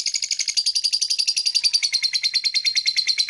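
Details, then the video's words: Blue black-masked lovebird chirping: a fast, continuous stream of short, high, harsh chirps, about seven to eight per second, steady in pitch and loudness throughout. "Beautiful Lovebird Long Chirping Sound - Blue Black Masked Lovebird"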